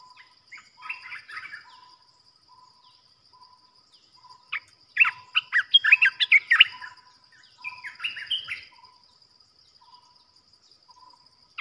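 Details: Caged decoy bulbul used for trapping, calling in loud clusters of quick, rich chirps and bubbling notes. Soft evenly spaced whistled tones run between the bursts.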